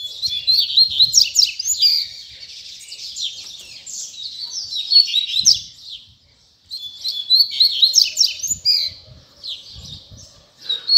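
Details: Last coleiro puxada of 2019: a Double-collared Seedeater sings two long, dense phrases of fast, high, crackling twitters and slurred whistles, separated by a brief pause.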